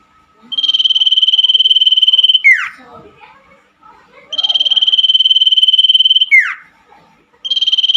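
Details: Cipoh, the common iora, singing in the night to restart birds that stopped singing: two full level trills of rapid pulses, each closing with a dropping slurred note, then a third trill beginning, soft faint sounds between.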